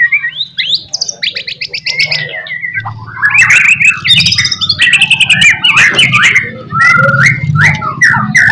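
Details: White-rumped shama song used as a lure to make other shamas answer: fast, varied run of whistled and chattering phrases, rapid repeated notes and sharp rising and falling slurs, over a steady low hum.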